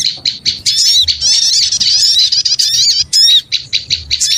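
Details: Noisy small-bird lure sound: dense, overlapping high-pitched chattering and squeaky twitters from many birds at once, with rapid rising and falling notes and a few short pauses.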